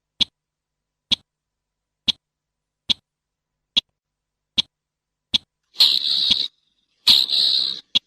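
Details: Slaty-breasted rail clicking: evenly spaced sharp ticks, about one per second, give way to two rough, rasping calls near the end. The background is silent.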